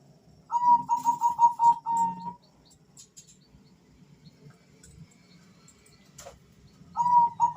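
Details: Bangkok-type male zebra dove, one of two answering each other: a quick string of short, higher whistled coos ending in a brief held note, a quiet gap with faint clicks, then the series starting again.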